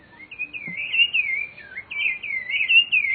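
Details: Rufous-bellied thrush singing in nature: a continuous warbled phrase of fluty, wavering whistles, rising and falling in short slurs, with a brief dip before a second similar phrase, over faint background noise.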